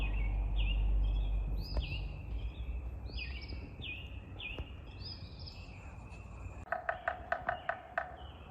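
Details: Along the abandoned Genesee Valley Canal trail south of Scottsville, a big woodpecker high in a tree gives a quick run of about six loud, evenly spaced, harsh notes near the end. Another bird's repeated high slurred whistles come first, over a low rumble.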